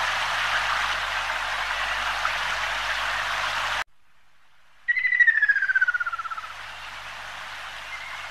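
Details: After several seconds of steady rushing noise and a brief silence, a Ruddy kingfisher delivers a descending, rapidly pulsed whistled trill lasting over a second, followed by a faint high note.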